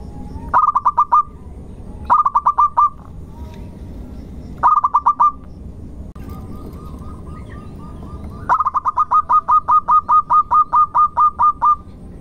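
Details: Local zebra dove song used as a lure to get other birds singing: low cooing phrases of rapid stuttered notes, a long final run of about a dozen evenly spaced coos, with a quieter soft trill between.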